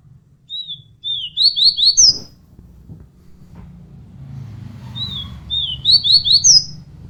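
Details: Bird repeating a short high song twice: a few descending slurred whistles followed by a rapid run of sharp upslurred notes ending in a bright flourish, over low background rumble.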